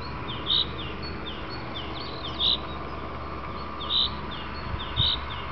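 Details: Common chaffinch in the afternoon giving its call: short, high, clipped notes repeated about every one to two seconds over a steady background hiss.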